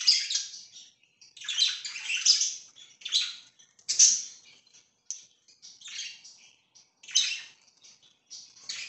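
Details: Chirping from pet budgerigars: short scratchy, buzzy bursts of chatter separated by brief pauses, roughly one burst every second, with a few faint twittering notes in between.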